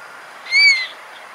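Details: Black oystercatcher on the rocks at low tide at Cesar Chavez Park in Berkeley, giving a single sharp whistle, a clear note that rises then slowly falls, lasting about a third of a second, over quiet background hiss.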